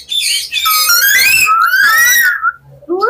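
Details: Talking common hill myna kept for sale in Mirpur, Dhaka, giving loud, harmonic, speech-like phrases with wavering whistled tones lasting about two and a half seconds, then a short rising whistle.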